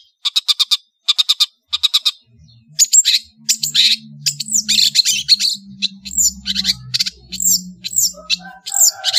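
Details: Long-tailed shrike of Madura singing a varied master song: short buzzy rasping bursts in groups of three, then dense squeaky chattering with high downslurred whistles and faint low hum.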